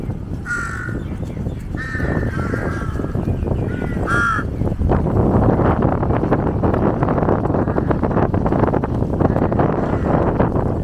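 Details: Several loud, grating caws from jungle crows gathered around a monitor lizard eating a giant snakehead carcass, followed by seconds of broad rushing noise with no calls.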